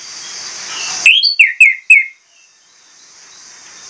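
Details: Orange-headed thrush giving a single short phrase of four or five crisp, falling whistled notes, set against a soft steady hiss.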